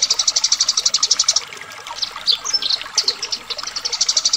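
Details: Eurasian tree sparrow fight: a quick, even train of shrill chirps, a looser jumble of squeaky notes in the middle, then the rapid rhythmic chirping returns.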